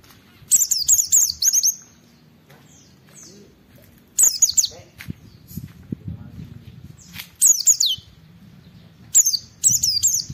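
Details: Oriental white-eye singing, intended to draw responses from other white-eyes: brief high twittering bursts every few seconds, gaps between filled by soft low background rumble.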